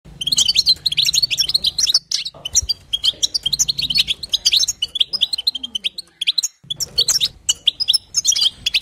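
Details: Female European goldfinch chatter, known as batbata, used to prompt a male goldfinch to sing: dense, rapid twittering and tinkling notes in bursts, broken by short pauses near two and six seconds, over a faint low hum.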